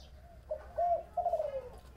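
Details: Spotted dove in Long An, Vietnam, calling in 'thổ bầu' style: a single phrase of soft hooting coos ending in a longer, slowly falling note.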